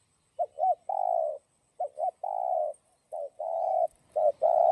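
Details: Spotted dove giving its 'giọng đồng' song, meant to excite decoy doves: three closely spaced phrases of two quick soft notes and a drawn-out mellow coo, with a fourth phrase starting at the end.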